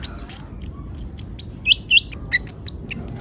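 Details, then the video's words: Konin, or brown-throated sunbird, singing energetically as a lure call: sharp, very high ticking notes and brief downslurred whistles in an irregular, rapid sequence over quiet background. "Pancingan suara burung konin gacor"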